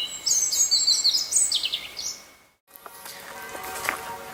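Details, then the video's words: European robin singing in a park in Bordeaux, France: a rapid, high, tinkling phrase of thin whistles and trills for about two seconds, then a brief silence and faint background noise. "Alors l'oiseau que vous entendez chanter, c'est un rouge-gorge familier."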